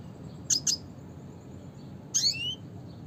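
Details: Red siskin giving its classic call: two crisp high chips in quick succession, then a longer buzzy note sliding through several bright strands, over faint background hum.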